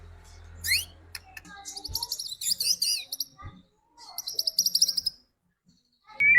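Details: Provocation song of a white-rumped shama, played to rouse other birds into singing: high, thin buzzy trills in short bursts, separated by pauses, ending on a clear rising whistle.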